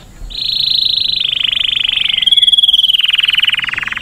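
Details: Canary mating song: one long, continuous rolling trill that holds steady, then drifts slowly lower and fades near the end.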